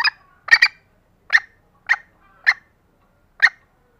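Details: Green junglefowl hen giving a lively call meant to draw in reluctant males: six short, sharp clucks, with a quick double note near the start, then irregular gaps of about half a second to a second.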